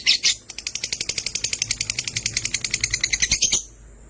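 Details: Chattering from two pet lovebirds, sky blue opaline and green opaline: a fast, even, ratchet-like run of high, buzzy clicks, roughly ten per second, lasting about three seconds before stopping abruptly.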